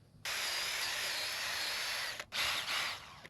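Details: A power tool grinds steadily for two seconds, pauses briefly, then whirs again in two short bursts; no animal is heard.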